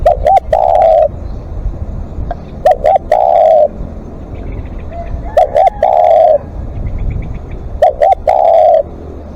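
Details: Long calling from a spotted dove at a live decoy session: repeated phrases of two short coos and a longer held coo, about every two and a half seconds, with faint chirps behind.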